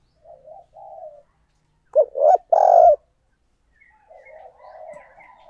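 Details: Spotted dove used as a lure for other doves; soft low coos open, one loud phrase of short hoots and a long mellow note follows, then quieter warbling coos trail off.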